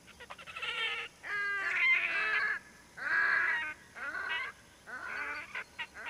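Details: Red-necked grebe pair at Sotkanniemi, Finland, 6 May 2010, during courtship display: harsh, braying, nasal wails in five bursts of about a second each, some ending in squealing trills.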